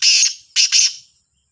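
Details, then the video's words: Black francolin calling in the morning, labelled Sahiwal, 18/09/22: a long scratchy opening note followed by two clipped harsh notes, loud and close. "کا لا تیتر کی صبح کی آواز | Kala Sindhi Teetar Ki awaz"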